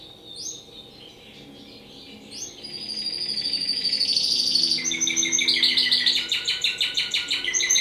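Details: Timbrado canary from a breeder, singing high sweeping notes that build into a loud sustained trill and then a fast rhythmic rolling series of rapidly repeated notes, indoors.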